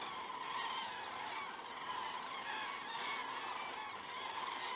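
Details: Common cranes flying overhead at 19:10 in the evening, Estonia, 19 September 2017, via crane camera: a softer, blended chorus of many distant-sounding trumpeting calls running without pause.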